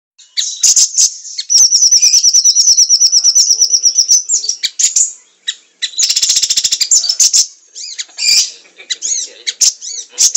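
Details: Siri-siri singing vigorously, recorded as a masteran for training songbirds: a rapid high trill of evenly repeated notes, then scratchy chatter and buzzy bursts, with dense twittering phrases throughout.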